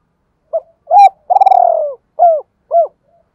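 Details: Spotted dove kept as a decoy, calling in the double-voice style to stimulate wild doves: a clipped note, a rounded coo, a long pulsing trill, then two falling coos. Clean recording.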